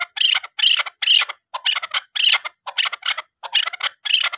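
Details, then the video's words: Chukar partridge calling: a rapid run of harsh, chattering chuck notes, about two bursts per second, loud and scratchy with no other sounds. "Chakor voice. Chakor sound. Chukar voice. Da zark awaz. chakor calling."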